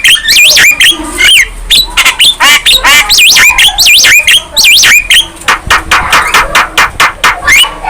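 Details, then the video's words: Young Javan myna in vigorous song while head-bobbing, delivering looping warbled whistles and squawks, then a fast run of dry clicking notes to the end. "Kicauan Jalak Kebo Muda Gacor"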